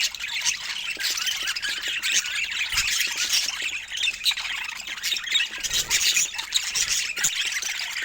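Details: A pair of pet budgerigars in love, chattering and chirping: a dense, continuous high scratchy warble with quick squeaky notes, pausing briefly around the third and sixth seconds.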